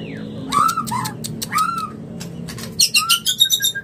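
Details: Male white-rumped shama (murai batu) courting a female, a mating call: slurred whistles sliding near mid pitch, then a burst of quick, sharp high chirps at the end over a faint low hum.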